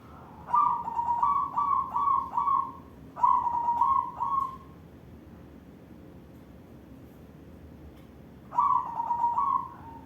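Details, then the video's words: Cooing song of a white barred zebra dove, a perkutut, in full manggung display: bursts of rapid, stuttering, ringing coos around one pitch, three phrases close together early on, then a pause and another phrase, with a faint hum behind. "Perkutut putih lurik manggung suara ngelagu"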